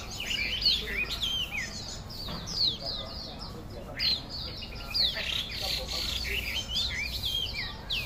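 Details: Chinese hwamei, or melodious laughingthrush, in loud song: dense, varied bursts of high whistles, slurred downward notes and chattering phrases that swell and fade every second or two, over a continuous low rumble and faint speech.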